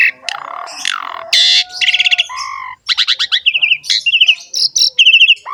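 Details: Black-winged starling, gacor ngerek style, a varied run of whistles, harsh squawks and rapid stuttered notes, followed by clipped repeated chirp series at about three per second, loud and close.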